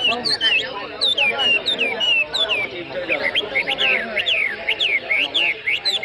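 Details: Chinese hwamei singing at an inter-provincial bird competition in Lao Cai city, Vietnam, a match between Lao Cai and Phu Tho birds; rapid varied whistled phrases, sliding up and down, several birds overlapping, with people talking underneath.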